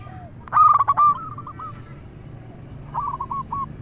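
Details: Local zebra dove song, used as a lure to draw other doves: a loud staccato burst of clipped coos near 0.5 seconds trailing into softer hooked rolling notes, with a second rolling phrase near the end.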